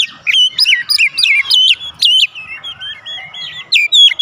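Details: Oriental magpie-robin singing a provoking lure song so rival birds answer in open song: loud clear whistles in quick bouncing phrases, sharp buzzy strokes, then a softer run of short wavering whistles and a rising ending.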